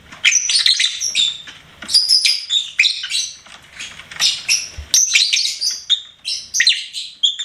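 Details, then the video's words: Lovebird kept as a pet chattering almost nonstop, a fast stream of shrill, twittering and squeaky notes with clicks between them, barely pausing. "LOVEBIRD SINGING & CHIRPING SOUNDS"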